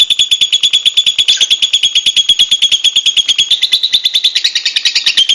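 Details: High, squeaky chirps from wild lovebirds repeat rapidly and fairly evenly, about three per second. The notes build into a brighter, busier twitter near the end.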